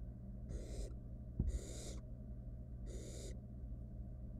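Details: Nestling barn owl in a wild, monitored nest box, linked to swallowing a rat whole: three drawn-out rasping hisses, one sharp knock between the first two, background hum throughout.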